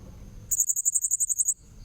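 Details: Blue-crowned hanging parrot lure call used for trapping: one rapid burst of about ten very high, sharp chirps lasting roughly a second, set between quiet low background hum.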